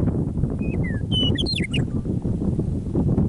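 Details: Prairie meadowlark near Drumheller, Alberta, Canada, by Michichi Dam, singing on an early spring evening after winter: a pair of clear downslurred whistles, then a fast tumbling warble of liquid notes, set against continuous wind rumble.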